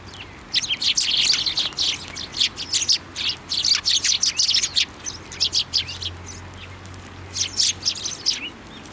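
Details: A flock of Eurasian tree sparrows on a plum tree at a Japanese shrine in February 2024; continuous overlapping chirps and chatter almost throughout, with a low steady hum beneath.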